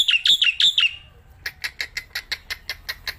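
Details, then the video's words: Black-winged myna, a kept bird singing while held in the hand outdoors: a few shrill, slurred whistled notes, then a steady series of short, harsh clicking chips at an even pace. "Burung Jalak Putih Gacorrrnya Edan gak ketolong"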